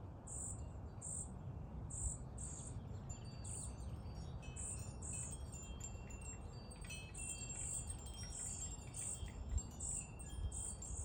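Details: Hungry baby bird begging: very high, short hissy chirps repeated in uneven bursts roughly every half second throughout, with faint thin tones in between over a steady low rumble of background noise.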